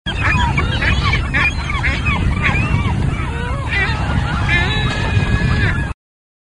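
Ring-billed gulls give overlapping, nasal mewing cries that rise then fall, several birds calling over one another above a steady low rumble of wind or traffic.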